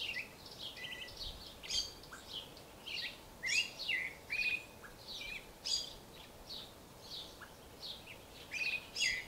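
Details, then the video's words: Song of a creamy-bellied thrush, made of short separate phrases roughly every second. Each mixes high sharp notes, downslurred whistles and a few flat sustained tones, with faint hiss throughout. "sabiá-poca (Turdus amaurochalinus)"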